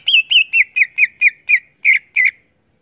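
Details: Greater green leafbird (cucak ijo) singing loudly in the gacor ngeplong style, used to boost other leafbirds; a run of nine loud, slurred, down-curving whistled notes at about four per second, with a short pause before the last two and no other sounds.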